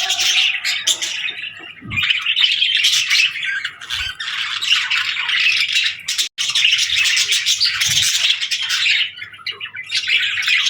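Budgerigars chatter almost nonstop, a dense stream of scratchy warbles, chirps and squawks in bursts of a few seconds, with brief pauses between.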